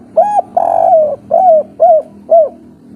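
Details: Agitated 'kuk 3' spotted dove used as a lure so other doves respond. A short coo and a long purring note, then three arched coos about half a second apart, over a soft steady hum.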